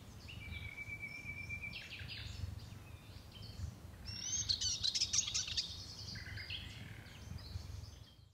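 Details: Eastern Subalpine Warbler (Sylvia cantillans albistriata) at Lake Kerkini National Park, Greece, in April 2024, sings a fast, scratchy warble of high chattering and buzzy notes, loudest midway, over a low rumble of background noise.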